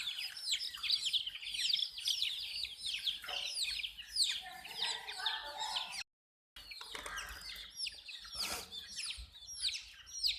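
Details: Chicks drinking water peep in a thick, shrill chorus of falling notes, broken by a short silence near the middle, then the chirping resumes with a noisy burst.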